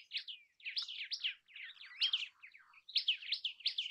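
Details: Common tailorbird giving a quick jumble of high, sharp chirps and slurred notes, tumbling in bursts with short pauses, in a quiet setting with no other clear sounds.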